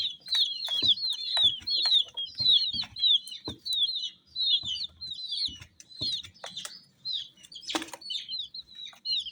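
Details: Brightly coloured chicks peeping together, clear high downward-sliding chirps repeated quickly in uneven runs, with occasional soft taps and one brief noisy burst near the end.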